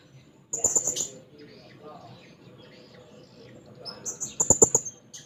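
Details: A blue-crowned hanging parrot seeking a rival gives two short, high, shrill trilled phrases a few seconds apart over a quiet background.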